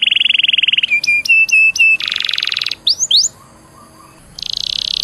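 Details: Canary song meant to coax other canaries into singing: a fast buzzing roll, a few flat repeated whistles, a dense trill, two rising sweeps, a brief pause, then another buzzy roll.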